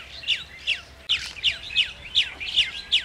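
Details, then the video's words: Chestnut-tailed starling calling: a quick series of sharp, high, downward-slurred chirps, about eight in three seconds, spaced unevenly, with a quiet background and no other clear sounds. "Chestnut-tailed Starling"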